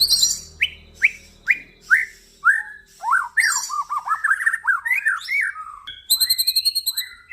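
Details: Male crossbred white-rumped shama (F series) delivering a string of downslurred whistles about one every half second, breaking into a jumbled, rapid warble and finishing with a high, buzzy rattling trill.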